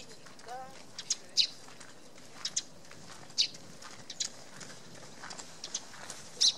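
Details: Eurasian tree sparrow at a tree hollow in a poplar on Tatyshev Island in the Yenisei, Krasnoyarsk, in March 2017: short sharp chirps scattered irregularly, some doubled, with a brief low harmonic voice-like sound near the start and a steady background hiss.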